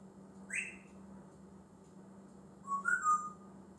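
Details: Talking male African grey parrot kept as a pet, known for copying varied noises, gives a single rising whistle, then after a pause a warbling, wavering whistled phrase; constant low hum of a room in the background.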